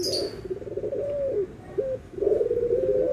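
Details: Barbary dove (puter) anggungan, in a white versus brown dove comparison: a soft trilled coo falling away, a short rising note, then another trilled coo starting, with a high chirp at the beginning.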